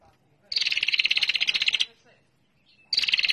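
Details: Bar-winged prinia, a female, in a lure recording meant to provoke a response: a rapid, even buzzy trill of dense repeated notes lasting over a second, then a pause before the trill starts again.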